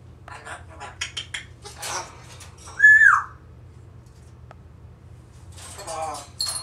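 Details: Grey parrot, an African grey that talks a lot, calling out a name: chattering clicks and squeaks, then a loud clear whistled note that bends downward, followed by a burst of squawky, speech-like chatter.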